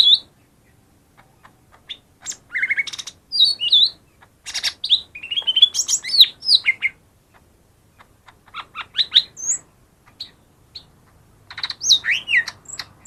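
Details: Lesser green leafbird song played to lure caged birds that are reluctant to sing: varied, rapid phrases of sharp chirps, whistled notes and buzzy trills, mostly high-pitched, delivered in bursts with short pauses, clean background.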